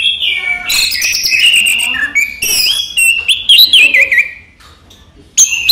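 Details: Captive orange-headed thrush, called raja teler, singing in the daytime: loud, varied whistled phrases with sliding and warbled notes, short bursts and buzzy trills, ending after a brief pause with a sharp high note.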